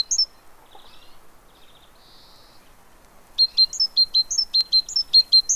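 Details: Great tit filmed at a fat ball feeder in Pellerey, France, 3 March 2017: one sharp note, a few soft high twitters, then a steady series of ringing two-note phrases, high-low, repeated quickly to the end.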